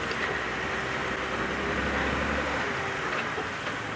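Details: A vehicle engine idles and rumbles during an early-morning safari drive, filling the sound with dense mechanical noise and no animal calls.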